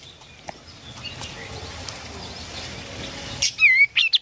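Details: Oriental white-eye song, played to get a silent bird singing again: after a long stretch of faint background hiss, a short burst of high, clear whistled notes, first sweeping down, then quick wavering phrases.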